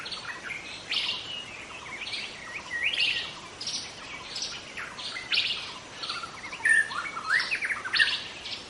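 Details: Young White-rumped shama in the wild forest, singing a varied string of chirps, short whistles and trills in quick bursts, with background insect hiss throughout.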